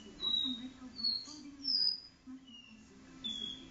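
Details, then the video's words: Do-re-mi song of a caboclinho in a living room: a few pure whistled slurs, some rising and some falling, spaced by short pauses, with a constant low household hum underneath. "caboclinho do-re-mi na sala"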